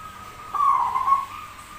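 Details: Zebra dove, described as rare with an unusual voice yet singing often; one smooth whistled coo lasting about 0.7 seconds, slightly wavering and holding an even pitch, over quiet background hiss.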